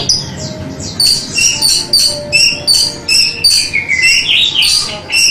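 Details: Orange-headed thrush song on a training recording for kept birds: rapid, high, repeated whistled phrases in short bursts about every half second, bright and varied, with faint lower notes underneath.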